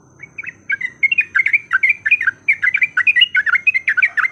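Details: Yellow-vented bulbul fighting song used as a lure: starts softly, then builds into fast, chattering bursts of bright, warbling notes with low background noise.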